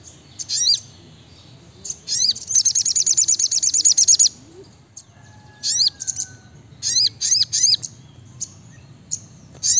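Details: Brown-throated sunbird, known locally as sriganti, in a chatty tutor recording of rapid bursts: a fast run of about twenty high, sharp chirps, then spaced clusters of arched whistled notes, with a faint low whistle between.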